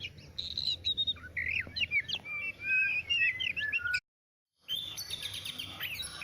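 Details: Varied Oriental magpie-robin song of chirps, slurred whistles and trilled notes, cut by a brief silent gap before more high, busy singing resumes.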